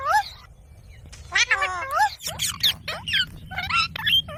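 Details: A pet ring-necked parakeet talks in quick, nasal, slightly squeaky speech-like phrases with sliding pitch, such as "I love you", "what are you doing", "mommy" and "wiggle wiggle", with screams and laughter, over a low steady hum.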